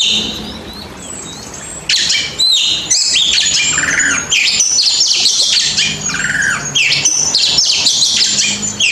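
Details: White-rumped shama training song for shy singers: a long, dense stream of loud whistles, trills and harsh squawky notes, nearly continuous with few pauses.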